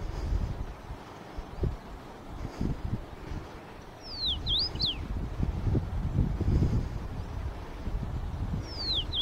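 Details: Male common rosefinch singing while searching for a mate: short clear whistled phrases of sliding, swooping notes, one near the middle and another at the end, over strong low wind rumble.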